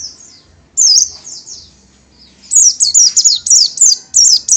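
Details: Small yellowish-green Oriental white-eye, locally pleci or burung kacamata (Zosterops palpebrosus), delivering high piercing twittered notes: a short opening burst, a pause, then a rapid string of bright descending chirps about three per second.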